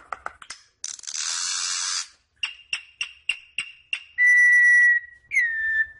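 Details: A troupial song recording meant to teach a young troupial to sing: a run of short, quick notes, then a long level whistle and a falling whistled slur, preceded by clicks and a burst of rustling noise.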